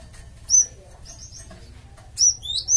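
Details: Lure call of the Java sparrow for drawing a flock's response: one ringing high whistle, a soft pause with faint chirps, then a quick run of three bright slurred notes.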